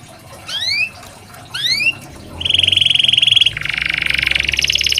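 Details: Canary song used as therapy for lazy canaries: two separate rising whistles over background hiss, then a steady buzzy trill that shifts into a lower, fuller rolling trill.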